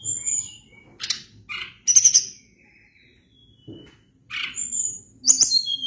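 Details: Energetic song of a Sunda blue robin (tledekan gunung): scratchy chirp bursts and high piercing notes, a brief soft whistle, a quiet gap, then more harsh chirps and high whistles.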